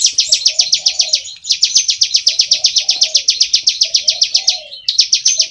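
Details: Ciblek sawah, the bar-winged prinia, delivering continuous ngebren song: bright rasping chirps in rapid series, with two short gaps, and gentle low cooing sounds in the background.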